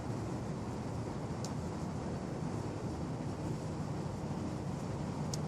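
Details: Steady, broad rumbling noise like a passing engine or strong wind fills the whole recording, with two brief faint clicks and no animal voice heard.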